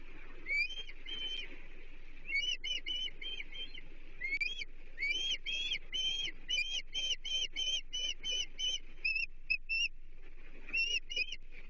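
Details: Chesapeake osprey nest, 30 June 2023, as a menhaden, the third fish of the day, is brought to the chicks. Rapid, insistent series of piercing, slightly upslurred whistled notes, several per second, broken by brief pauses, over steady hiss.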